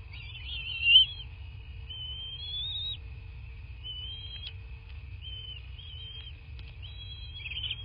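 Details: Bald eagle at its nest in southwest Florida, recorded by a nest camera on 13 March 2024 at 23:19; thin high whistled notes, some rising, come in short phrases over a steady high tone and low rumble.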